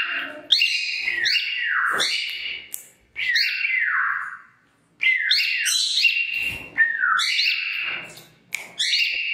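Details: Female cockatiel whistling her song while doing a headbanging dance: clear, bright whistled phrases with sliding, drooping notes, broken by short silences, including a full pause around the middle.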